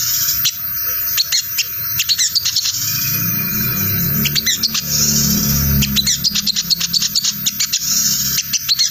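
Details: Sogon bird giving its ngriwik chatter, a lure call to draw in wild sogon, which answer it: dense, fast, high dry ticks and chirps in rapid bursts, over a low rumbling background hum.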